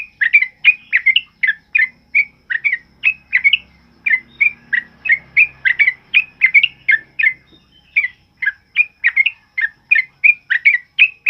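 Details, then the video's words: Loud 'ropel uplik' song of a sooty-headed bulbul, used as a training song for other birds: steady run of short, lively, whistled notes, roughly one or two each second, over a faint low hum. "Suara TRUCUKAN ROPEL UPLIK Lantang Keras Buat Masteran"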